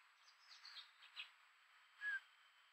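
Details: Female Eurasian scops owl of a visiting pair gives a faint, rarely heard call unlike the usual "chiu": one short, clear whistled note near the end, over steady hiss and faint high chirps; trail camera at a pool, Pesaro hills, 25 May 2022.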